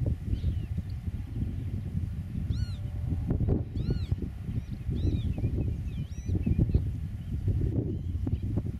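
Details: ['Eurasian oystercatcher on the nest in a farm meadow, camera set 8 metres away; sharp piping arched notes around the middle, followed by softer short chirps, with constant low-pitched wind noise throughout.']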